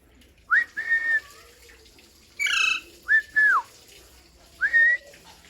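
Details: A pet parrot whistling: clear level whistled notes with short rising and falling slurs, given in separate bursts about every second, plus one brief harsh squawk in the middle; quiet room otherwise.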